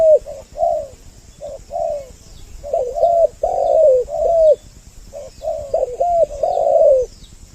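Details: Two spotted doves heard together as a trapping lure meant to attract both sexes: soft cooing notes, some overlapping, clustered in irregular runs with brief pauses, and light twittering from small birds in the background.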